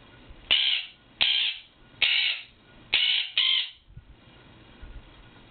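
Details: A pet Quaker parrot (monk parakeet) gives its morning wake-up call to its owner, refusing to let them sleep past 8am. It makes five loud, harsh, grating squawks, each about half a second long, in quick succession before falling quiet.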